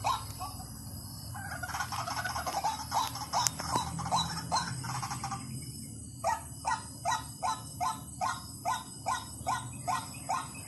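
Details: White-breasted waterhen lure recording: after a noisy, cluttered opening, a steady run of harsh, clipped notes repeats about two to three times per second, each note a short burst with a buzzy upper edge.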